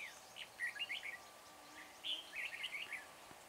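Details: At Chùa Hương on 24 March, a decoy red-whiskered bulbul sings to attract wild bulbuls into a trap: two runs of rapid, rollicking whistled chirps, each about a second long.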